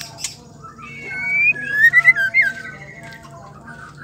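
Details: Female white-rumped shama song, played to provoke males into singing: a few quiet notes, then a loud burst of sliding whistled phrases and sharp chips around the middle, fading to soft low warbling.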